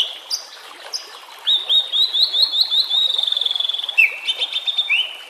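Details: White-rumped shama song used as a lure and for training reluctant birds, with natural ambience and trickling water: a varied run of clear whistles and rapid trilled notes around a steady high pitch, with a fast buzzy rattle midway.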